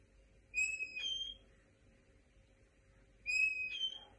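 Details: A linnet × canary hybrid gives two plaintive complaint calls about three seconds apart, each a drawn-out clear whistle stepping up to a higher note, over a low steady hum.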